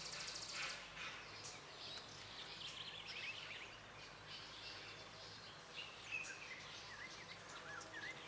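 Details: Song of a white-browed robin-chat: wavy, warbling whistled phrases repeated at intervals, with a few sharper whistled notes near the end, over constant environmental noise and faint high insect-like buzzing.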